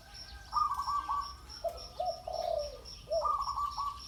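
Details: Spotted dove at a ground decoy: a rattling higher note series, then three soft hollow coos, the last stretched and sinking, followed by another rattle, with a rhythmic insect buzz in the background.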